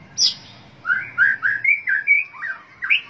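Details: White-rumped shama song: a sharp high note followed by a run of clear, rounded whistled notes, each slurring upward, delivered quickly with short gaps, ending on a higher rising whistle.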